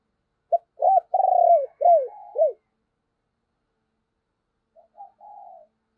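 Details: Decoy spotted dove calling to stir others into cooing: a loud series of arched coos around one long sliding note, then a soft, trailing drawn-out coo after a pause.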